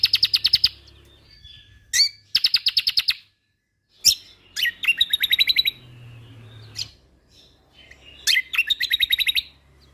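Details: Kecial kombok, a white-eye from Lombok, recorded for songbird training. Several bursts of rapid high trilled notes separated by short gaps, with sharp single chips between them. A faint low hum runs underneath.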